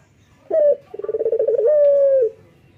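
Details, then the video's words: Male puter (Barbary dove), a local bird singing in the morning. One phrase: a short coo, a pause, a rapid throbbing trill, then a smooth sustained coo that falls slightly at the end. "SUARA BURUNG PUTER LOKAL JANTAN GACOR PAGI HARI"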